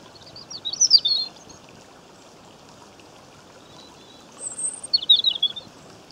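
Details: A European robin by a stream in Great Britain, filmed in May 2015, sings two short, high, tumbling warbled phrases about three seconds apart. One phrase opens with a thin drawn-out note, over the steady rush of the stream.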